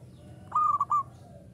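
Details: Local Indonesian zebra dove singing actively in the uraa umum style: a single clear cooing phrase of three short level notes with brief breaks.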